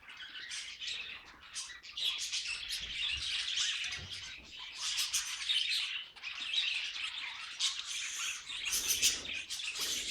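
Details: A flock of budgies warbling at once, giving a continuous busy chatter of squeaky chirps and rasping notes with sharp clicks scattered throughout.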